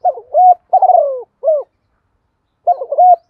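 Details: Decoy spotted dove calling to lure wild doves, in the local 'thổ đồng' voice style: low hooting coo phrases, a rolling burst, a longer falling note and a short coo, then after a pause the phrase begins again.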